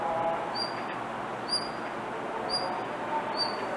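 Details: Blue rock thrush calling over and over rather than singing: thin, high, slightly rising whistled notes about once a second over a steady background hiss.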